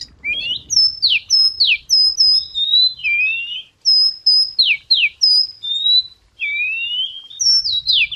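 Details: White wagtail song used as a lure: ringing whistles alternating with sharp downslurred notes and drawn-out wavering tones, phrases repeated roughly every second, with a faint low murmur at the start and end.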